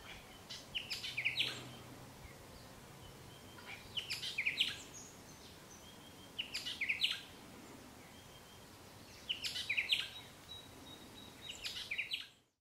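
Olive-backed oriole giving short, liquid rolling phrases with sharp clicky notes, repeated every two to three seconds against a faint steady background hiss.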